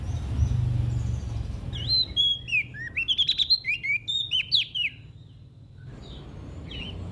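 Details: Lively olive-backed tailorbird song from West Nusa Tenggara, Indonesia, played to coax quiet birds into singing: a quick run of sharp, slurred chirps, about a dozen notes in three seconds, over low background rumble.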